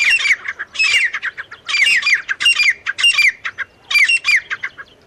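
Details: Partridge (teetar) pair, male and female, giving a run of loud, grating, squawky call phrases. The phrases repeat roughly every half second to second in quick, rhythmic bursts over a quiet background.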